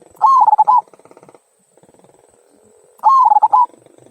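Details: Zebra dove, local type, 'kung' song for prompting other birds to sing; a fast stammering coo phrase, repeated after under three seconds, with a soft buzzing hum between phrases.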